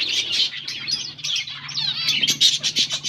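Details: Finches feeding on green food, August 17, 2024; busy high twittering chirps with a few sliding whistled notes, several birds calling over one another.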